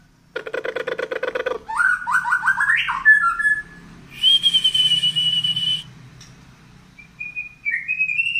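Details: Tail-pushing Medan white-rumped shama singing nonstop: rapid buzzy chatter opens, followed by fast rising whistled notes, a long harsh hissing phrase with a high sustained whistle, then thin rising whistles.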